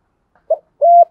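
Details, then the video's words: Spotted dove lure bird giving a brief note followed by a steady, level coo about a quarter second long. "chim cu gáy mồi thúc gù bài bản nhất hiện nay"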